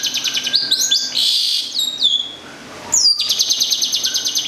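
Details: Long-tailed shrike, a local bird from Gedong Songo, Central Java, kept as a songbird, singing rapid high trills, a bright buzzy burst, then descending slurred whistles and a further run of fast repeated high notes.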